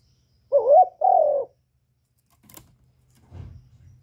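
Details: Captive decoy spotted dove, recorded directly with no background noise, gives a low two-part coo: a looping, rising-falling first syllable and a steadier second one, followed by a sharp click and faint low rustling.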